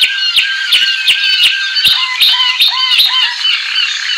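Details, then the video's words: American singer canary in loud song: crisp clicking notes mixed with repeated short whistled phrases and trills, rising and falling in quick succession. "Cântico Canário American singer."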